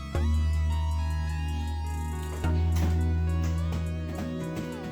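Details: Plucked and strummed guitar music with a deep bass tone, no animal voice.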